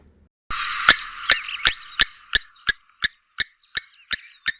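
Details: A Blacksmith Lapwing in southern Africa gives sharp, metallic 'tink' notes, like a hammer on an anvil, about three a second; a brief rushing background noise fades early on.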